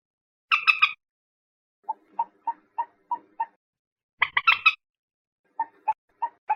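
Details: Common moorhen giving bursts of harsh chattering notes alternating with series of softer, evenly spaced low clucks repeated about three times a second.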